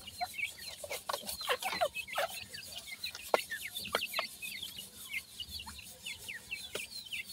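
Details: Several partridge chicks caught in a bizarre teetering movement call with thin, high, slurred peeps, sparser and spaced between loud tapping clicks.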